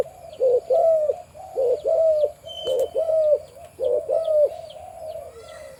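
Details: A farm's breeding male spotted dove with a big deep voice repeats low, rounded coo phrases in regular bursts, each followed by a short gap. Soft high chirps and one brief whistle come from other birds.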